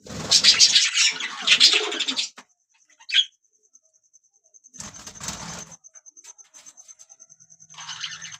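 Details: Budgerigars singing: dense, scratchy warbled chatter in bursts, a brief pause with a single squeaky note, then a rapid ticking series of fine clicks before the chatter resumes.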